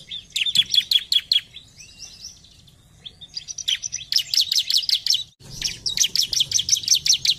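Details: Bar-winged prinia (ciblek) song, played to stimulate birds to sing: bursts of rapid, sharp, high chirps strung into quick repeated series, with a brief softer warbling passage between them over a low background hum.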